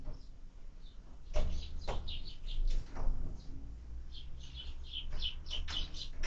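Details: Sparrow at a feeder during its evening meal on 20 February 2024; short high chirps come in scattered bursts, thickening toward the end, with sharp clicks and a steady low rumble underneath.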